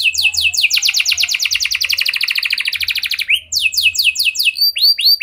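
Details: Canary singing, played to stir other canaries into song; sweeping whistles lead into a long dense trill dropping slightly in pitch, then slower looping whistled notes.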